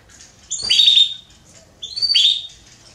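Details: Female Belgian canary soliciting mating: two bright, slightly rising chirped notes about a second and a half apart, each with a sharp onset and short trailing tail, over quiet background.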